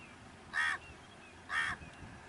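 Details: Pied myna at its nest, giving two harsh, raspy, broadband calls about a second apart over quiet background hum.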